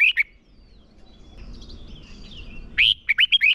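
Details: Decoy red-whiskered bulbul used to train birds for singing contests; a brief note at the start, a quiet stretch with thin distant whistles, then a loud burst of four or five swooping whistled notes.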